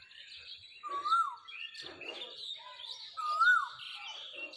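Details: Asian koel calling in spring while perched in a tree: two loud whistled notes that rise then slide down, about two seconds apart, among chirps and twitters of other birds.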